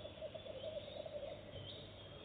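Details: Goosander at a nest box on its first visit, laying eggs right away, giving an unbroken string of rapid, pulsed low notes with a harsh rattling quality throughout, over faint background hiss.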